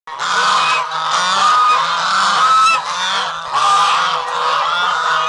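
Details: White Chinese geese on a farm chattering together: loud, harsh, overlapping honks in a continuous noisy stream, with brief pauses between bursts.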